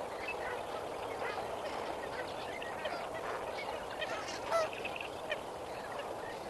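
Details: Lesser flamingos at Kamfers Dam at sunrise on 18 May 2024: a flock gabbling with many overlapping nasal, honking calls, one louder honk standing out near the end, over a steady broad rushing background.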